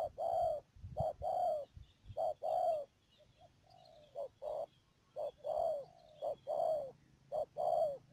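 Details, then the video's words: Spotted dove kept as a trapping decoy in Cà Mau, Vietnam, at Mương Điều, Đầm Dơi, on 12 March 2019, calling repeated paired coos: a brief note then a drawn-out, descending one, about once per second, with a few softer notes in between. "BẪY CHIM CU GÁY CÀ MAU .BỔI MƯƠNG ĐIỀU"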